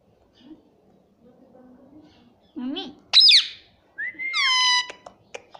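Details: Talking pet rose-ringed parakeet indoors, faint low murmur first, then loud sliding squawks and a rising-then-falling whistled, speech-like phrase, ending with sharp clicks.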